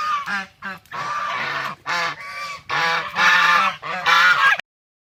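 A swan gives a run of loud, nasal, brassy honks, some clipped and some drawn out, in close succession over about four seconds.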